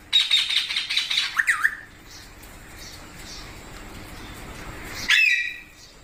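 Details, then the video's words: Parrot calling indoors; a rapid chattering burst ending in a wavering squawk, then near silence for three seconds before a single sharp screech. "Parrot Natural Sounds Compilation | Parrot Sounds |Baby Parrot Sound"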